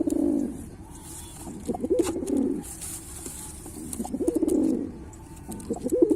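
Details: Pilkha pigeon cooing: low, throaty coos rolling in bursts about two seconds apart, each swelling then fading, with quiet gaps between and faint room hiss above.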